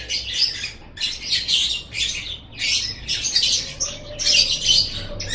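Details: Lovebird ngekek chatter, used to set pet lovebirds chattering: harsh, buzzy, high squeaky bursts about half a second long, repeated roughly once a second with short gaps between them.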